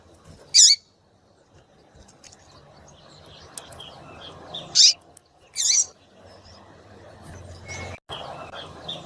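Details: Female double-collared seedeater calls meant to warm up a male into singing. Three loud, abrupt, high notes, two of them close together near the end, with scattered faint chirps and light background noise.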